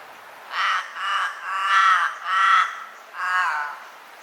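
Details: Common raven giving five hoarse, harsh caws, each lasting about half a second, spaced fairly evenly over four seconds with short pauses between, against a quiet background.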